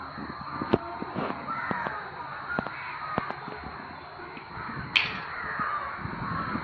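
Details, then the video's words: A crowd of crows making loud noises: overlapping harsh caws pour from many birds at once, a dense unbroken chorus with a few sharp knocks and clicks in the background. "காக்கா இப்படி கத்துனா ஏதாவது ஆபத்தா???-Crowd crows making loud noises"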